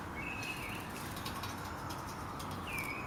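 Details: Robin making a strange noise: two thin, slurred whistled notes, one near the start and one near the end, each drawn out and slightly wavering, against faint background hiss.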